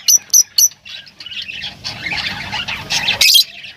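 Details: Three sharp, high chirps open the passage, followed by a continuous scratchy lovebird chatter and a loud harsh squawk near the end.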